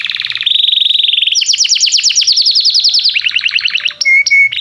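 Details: Canary in full energetic song, played to encourage young canaries to learn singing: a buzzy trill, then a steady high whistled roll, then a fast run of sharp downslurred notes, ending with a bright piercing whistle.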